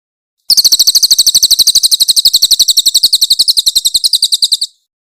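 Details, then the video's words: , a songbird kept and prized for a very loud voice, in a clean master recording of harsh 'tembakan kasar' song used for training magpie-robins: a four-second burst of rapid, piercing, high notes repeated evenly about nine times a second, with no other sounds. "AUDIO MASTER BURUNG CILILIN GACOR FULL TEMBAKAN KASAR & SUARA JERNIH"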